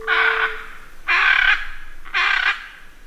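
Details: Several hyacinth macaws calling, three loud, harsh, grating squawks about half a second long, roughly once a second; the recording also has jabiru alarm calls and other birds.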